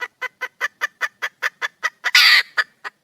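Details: Red junglefowl hen in the wild calling for a male, with brisk, regular clucking notes that build to one loud grating squawk and end on two more clucks.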